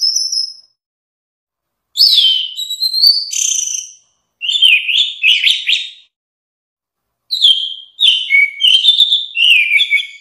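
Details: Orange-headed thrush song made of several bursts of varied, high, twittering whistles and slurs, some sharply rising, separated by short silences.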